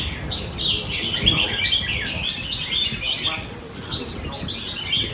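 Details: Several caged red-whiskered bulbuls compete in a morning singing contest in Quy Nhơn, June 2020, their quick whistled and chirping phrases tumbling over one another in a dense chorus while a crowd murmurs and speaks nearby.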